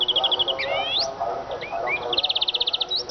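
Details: Eurasian siskin singing a rapid trill, then long rising whistled slurs and twisting notes, ending in a fast even rattle of about a dozen notes; soft background hum.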